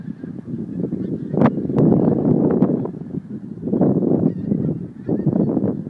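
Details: Flock of geese departing Montrose Basin to feed, January 2011, a constant chorus of low overlapping honks and gabbling calls that swells in loud bursts.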